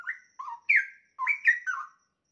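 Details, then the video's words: Caged young straw-headed bulbul, about a year old, in full song with many variations: a phrase of six rich whistled notes, alternately rising and dropping, delivered in quick bursts over about two seconds. "Cucak Rowo Muda Gacor Teman Ngopi"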